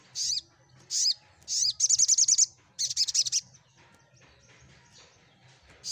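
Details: Olive-backed sunbird singing to stir silent sunbirds into answering: three separate high, downslurred chirps, then two quick runs of rapid trilled notes, a quiet gap and one more chirp. A faint low hum is present.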